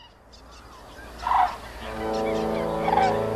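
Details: Common cranes at a spring gathering at Hornborgasjön, Trandansen, on 22 April 2023, with about 1000 birds still present, pairs bonding and dancing. A loud, rolling trumpeted call at about 1.3 seconds is followed by a sustained, rich, buzzy call that peaks again near 3 seconds.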